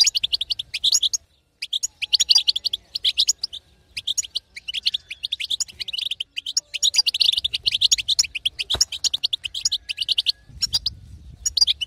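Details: Extended female European goldfinch betbeta twittering used to stir a silent male into song; long bursts of bright, rapid chirps separated by short breaks, with a faint low hum underneath.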